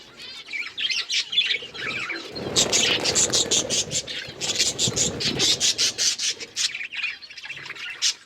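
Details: Budgerigars eating green food: opening warbled chirps, then a fast, uneven run of sharp clicking pecks mixed with chatter.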